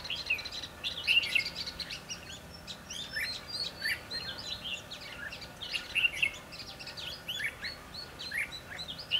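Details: Red-whiskered bulbuls recorded during trapping on 22 December 2015, a dense overlapping chorus of short whistled, warbling phrases in quick succession, several birds calling at once over a faint steady background hiss.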